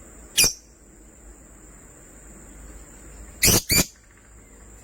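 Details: A single sharp, high chirp from pet lovebirds, a sky blue opaline and a green opaline, then a long quiet pause and a close pair of loud, harsh chirps.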